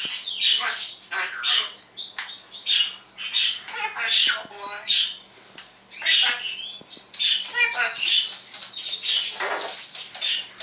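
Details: Chattering pet parrot indoors one morning, mimicking sounds and speech: dense, continuous stream of short squawky and buzzy syllables with little pause.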